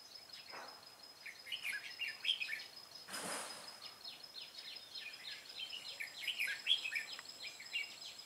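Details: Red-whiskered bulbul at a trapping site on 25 April 2017: rapid bright chirping and warbled notes run through most of the stretch, broken by a loud rustling burst, over a steady high background tone.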